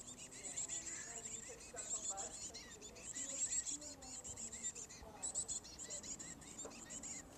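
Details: Nestling black-capped chickadees, at least two, in a garage birdhouse as the parent pair brings food; dense high buzzy hissing in bursts with scattered short chirps and soft lower twitters throughout.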